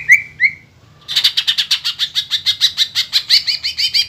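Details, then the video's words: Green leafbird in full song, used to provoke other birds into singing: two rising whistled notes, a short pause, then a fast run of bright repeated chirps and trills, about three per second, with a faint low hum beneath. "PANCINGAN CUCAK IJO GACOR INI MAMPU BIKIN EMOSI LAWAN CUMA HITUNGAN DETIK"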